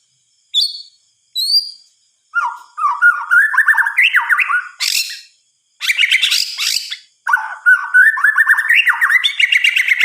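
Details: Night song of a white-rumped shama. Two short high whistles open, followed by long runs of varied warbled and fluty notes, some harsh buzzy bursts, and brief pauses between phrases.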